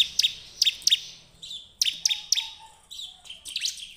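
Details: Bar-winged prinia song serving as a lure to make other birds sing: clipped high chirps delivered in triplets, then softer buzzy notes and a further fast burst of sharp chirps.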